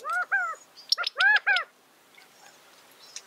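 California Quail giving two quick bursts of loud, nasal, arched notes in pairs and triplets, with a sharp click between them, then faint chirps.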